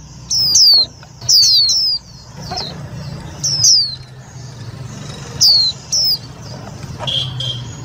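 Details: Indian white-eye lure call, used to trap birds and stir up other white-eyes: thin, high descending whistled notes given in pairs and small bursts with short pauses, over a low steady hum.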